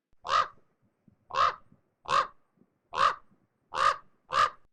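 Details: Common Raven giving six coarse, guttural, hoarse croaks, roughly one every 0.8 seconds, each with a rough, grating, phlegmy edge, as though choking, unlike the American crow's cleaner caw.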